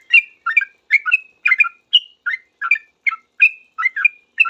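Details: Sooty-headed bulbul responding fast to other bulbuls with loud chattering song: rapid, clear whistled notes in pairs and triplets, some slurred upward, coming in an unbroken busy stream.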